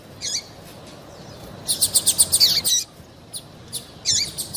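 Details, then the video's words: Calls of a female double-collared seedeater, used by keepers to get males singing. A single high chip is followed by a fast burst of about ten ringing ticks, then a few spaced, down-slurred chips. "PIADO DE FÊMEA PARA DEIXAR SEU PAPA-CAPIM DOIDO PARA CANTAR LOGO!"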